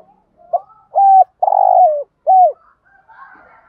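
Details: Spotted dove call used as a lure to stimulate other doves: a run of low, hoarse, slightly descending coos, one long and drawn out, then a short final coo, with faint softer notes trailing after.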